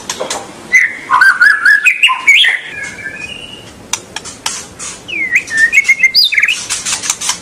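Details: Song of a white-rumped shama, meant to get young birds singing at once: rich whistled phrases with slurred rising and falling notes, a quieter middle stretch, then upward-sweeping whistles over faint ticking.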